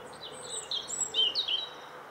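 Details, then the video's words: Bird song: a fast run of high thin whistled and trilled notes, some sliding down, lasting about a second and a half over light background noise. "CHANT OISEAU"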